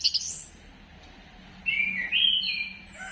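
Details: Orange-headed thrush singing to prompt other birds: a brief high note at the start, a pause, then a sweet whistled phrase that climbs in steps and ends on a lower note.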